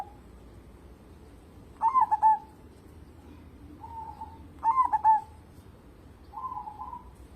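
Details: Local zebra dove (perkutut) cooing steadily as a lure to make other birds sing: two full phrases of quick staccato notes ending in a rolling trilled coo, each followed by a softer, lower drawn-out coo, against quiet background hiss.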